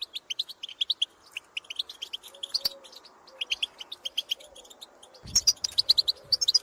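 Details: European goldfinches in the field, calling to birds of their kind: clusters of quick metallic chirps in separate bursts with short gaps, ending in a denser, louder jangling twitter.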